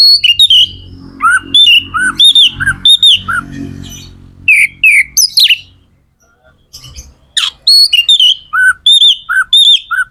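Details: Magpie-robin (kacer) singing to stimulate others of its kind: steady series of looping whistled notes alternating high and low, a harsher middle passage over low background rumble, then renewed rhythmic whistles.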